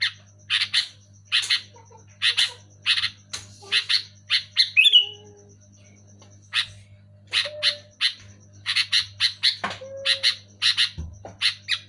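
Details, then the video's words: Energetic, loud sooty-headed bulbul: rapid bursts of rasping chirps, one run ending in a bright falling slur, then denser quick chatter, with faint lower whistles from another bird and a low hum throughout. "Suara burung kutilang gacor keras jelas"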